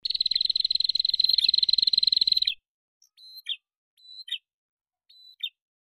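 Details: Male and female prinias trade calls as a lure: a steady rapid buzzing rattle for over two seconds, followed by three thin whistles each ending in a sharp falling chip.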